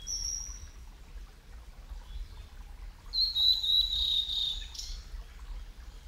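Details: Male blue-and-white flycatcher at Yamada Green Park, Kitakyushu, Fukuoka, Japan, a summer visitor. Filmed over ten years ago on Sony Betacam SP gear. One high, thin whistled phrase slurs slightly downward, with a faint high note before it and a soft outdoor hiss.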